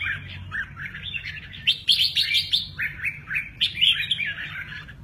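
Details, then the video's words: A red-whiskered bulbul sings a lively run of bright, bubbling, whistled phrases, rising and falling in quick bursts over a faint low hum. "Chào mào mơ ché nẹt"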